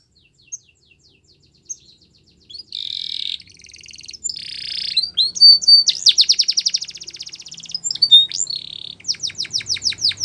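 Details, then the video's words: Canary song starting with scattered faint chips, building into buzzy rolls, fast rattling trills and a run of sharp descending notes, with a low hum underneath. "Canary Birds Song | The Best Canary Sounds"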